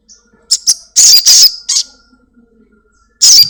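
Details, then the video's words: Crimson sunbird (sogon), a home-kept bird singing actively, used as a lure recording to prompt other kept birds to call quickly; loud, harsh, high buzzy bursts, several quick ones close together, then a pause and one more burst. "Sogon gacor || Pancingan sogon rumahan agar cepat bunyi"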